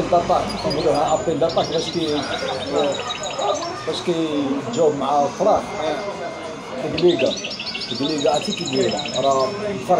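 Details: Goldfinch × canary hybrid (mule), bred from a male goldfinch and a female canary, singing fast, high, twittering trills in repeated bursts, nearly drowned out by loud men's talk and background noise.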